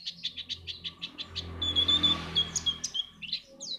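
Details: Pleci white-eye song for stirring contest birds: evenly spaced short high chips, roughly three a second, then a thin level whistle over a low background hum, ending in more chirps.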